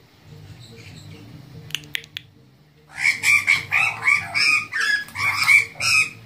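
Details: An Australian magpie in New Zealand gives a run of harsh, slightly tuneful notes, two or three a second, after a quiet start with a low background hum.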